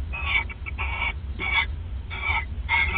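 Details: Owls bonding at the nest in the small hours of 29 December 2014; five or six harsh, rasping bursts, each about a quarter second, spaced unevenly, over constant low humming background.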